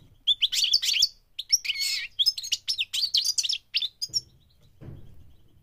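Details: Goldfinch on migration singing rapid, tinkling twitters and short trilled notes for about four seconds, then falling quiet with only a faint low rumble at the end.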